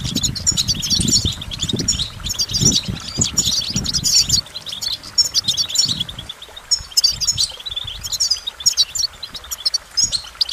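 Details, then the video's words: Goldfinch song: energetic bursts of high, twittering chirps and trills in repeated phrases, with loud low thumping early on that fades, leaving clearer song toward the end. "Goldfinch Motivation Performance"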